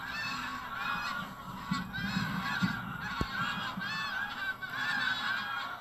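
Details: Mixed wild geese, Canada, White-fronted, Pink-footed, Brent and Greylag, by the tens of thousands, taking flight at dawn from North Norfolk coastal marshes, Burnham Norton, September 2022; layered honking rising and falling continuously, one sharp click midway.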